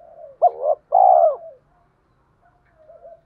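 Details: Spotted dove with a deep 'thổ'-style voice calling to lure wild doves to fight; a single phrase of a hooked double note and a long wavering coo, followed by soft faint cooing.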